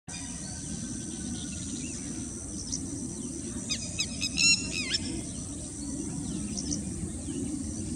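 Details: Richard's pipit (Anthus richardi) perched on a wire in India gives a brief burst of harsh, scratchy call notes over a steady high insect hiss and low wind rumble.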